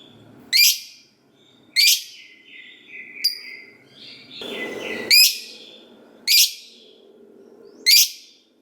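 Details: Lovebird lure recording of a gacor bird meant to make listening lovebirds respond: loud, sharp, piercing high chirps repeated about every second, with softer squeaky notes between them.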